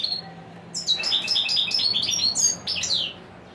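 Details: A royal goldfinch delivers a dense, fast warble of liquid, high-pitched twitters and trills lasting over two seconds, after a single opening note.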